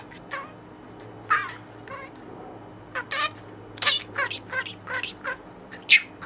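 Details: Pet budgerigar in its cage, playing and speaking learned words to its toy friend: scattered raspy, harmonic chirps and short speech-like syllables, irregularly spaced, with a faint low indoor hum.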